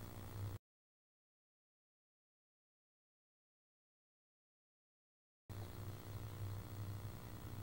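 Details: Low steady hum before and after a long silent gap, with no animal sounds.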